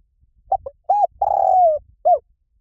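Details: Spotted dove coo in the 'Liu Tan' style, used as playback so a trained dove answers: two short clipped notes, a rounded coo, then a long sustained coo sliding down at its end, closed by one short falling note; faint low rumble underneath.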